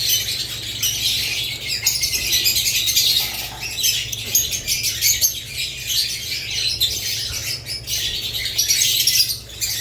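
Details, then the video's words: Budgerigars, with lovebirds also named, in dense, continuous high chattering: overlapping scratchy chirps and squawks that swell and fade over the whole stretch, with a faint low hum beneath. "Budgerigars lovebirds Chirping Sounds"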